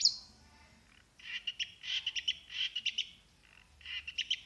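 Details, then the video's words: Long-tailed shrike, a champion bird from Plaosan, delivering rapid clusters of bright clipped notes in quick series with short pauses, plus a faint low hum. "burung cendet "ABG" plaosan juara"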